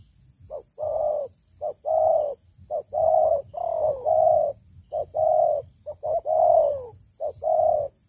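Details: An old decoy spotted dove with a big voice coos steadily. Short notes alternate with long, mellow, downward-sliding coos, in repeated phrases about once a second.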